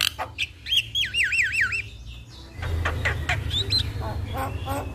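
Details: Javan myna song used to coax a silent myna into singing: a quick wavering whistle that swoops up and down several times, then harsh clicks and a rising whistle over low rumble.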